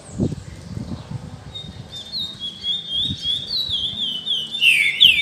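A high, clear whistled phrase wavers and slides slightly downward for a few seconds, then ends in a sharper burst. Low knocks and handling noise sit underneath.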